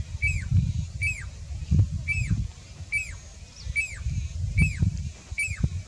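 A pied cuckoo gives clear, ringing notes that rise and then drop, about seven in a row, one every second or so, over a steady low rumble.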